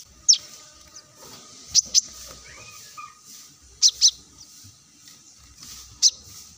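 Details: Plain-throated sunbird song, a lure recording used to coax other birds into singing: sharp, high, very brief chip notes, often in close pairs, scattered across several seconds over a faint background hiss.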